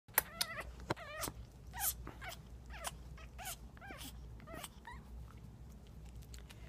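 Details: Female African grey parrot displaying mating behaviour, on the day she laid an egg, 11/12/13; sharp clicks and short squawks mixed with wavering, warbled whistles that rise and fall quickly, over a steady low hum.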